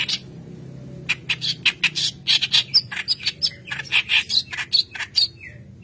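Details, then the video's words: Energetic song of a white-browed kerak basi used to lure and train young birds: quick harsh chattering bursts in a rhythmic series, mixed with sharp whistled notes and a falling whistle near the end. "Keras Basi Alis Putih Gacor Pancingan Bahan"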